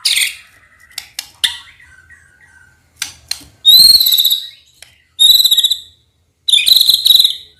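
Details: White-rumped shama sound used to get young speckled birds to sing: faint clicks and low slurs, then three loud very high, level, ringing whistles separated by about a second of silence.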